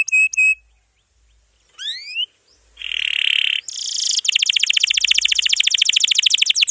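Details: Canary master song meant to coach young or silent birds: ringing stacked notes, a pause, a couple of rising whistled slurs, a buzzy trill, then a fast, even roll continuing to the end.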